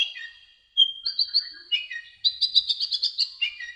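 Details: Olive-backed sunbird (kolibri ninja) song meant for teaching caged birds: a short sharp whistle, then fast bright trills and chattering notes repeated in a quick, energetic series.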